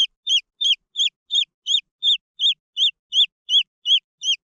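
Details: Repeated shrill peeps of green junglefowl chicks, around thirteen arched notes in steady succession, a few slightly doubled, at close to three per second with no other sounds.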